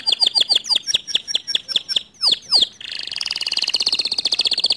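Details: Canary singing to provoke a lazy canary: quick repeated sweeping whistled notes, two louder descending notes, then a long dense rolling trill.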